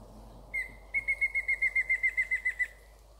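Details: A Mayan Antthrush in Yucatan in March 2019 gives one clear whistled note, a short pause, then about a dozen quick, evenly spaced whistles that drift slightly lower in pitch.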